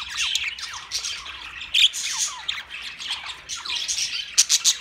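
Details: Budgerigars chattering: bright, quick chirps and falling squeaky notes in rapid overlapping bursts, with several sharp loud squawks near the end.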